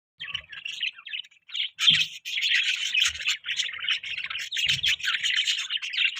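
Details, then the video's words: Pet budgerigars chirping: dense, warbling chatter of rapid chirps and short squawky notes, nearly continuous after a brief hesitant start, with a few low thumps underneath. "Budgie chirping sound|Budgies chirping sounds|parakeet bird sounds"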